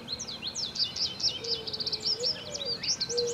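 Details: Hatchling American robins in their nest: a dense chatter of thin, high, wavering squeaks running continuously, with a soft low sustained tone beneath and light outdoor hiss.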